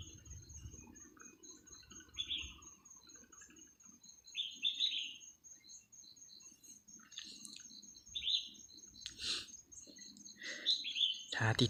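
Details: Red-whiskered bulbul kept as a decoy, calling to lure a large wild bird that has strayed from its flock. Short bright whistled phrases come a few seconds apart, with a steady thin insect whine high above and light handling noise.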